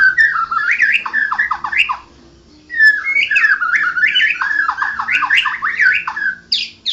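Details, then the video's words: Champion white-rumped shama singing ngoceh ngerol gacor: two runs of rapid, warbling mid-pitched phrases that rise and dip repeatedly, separated by a short silence. "Burung Murai Batu Juara nasional murai batu ngoceh ngerol gacor"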